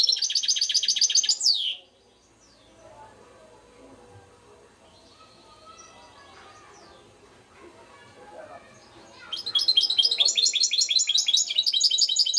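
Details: European goldfinch twittering in short, rapid high-pitched bursts at the start and end, with a long stretch of faint voices and low background noise between them.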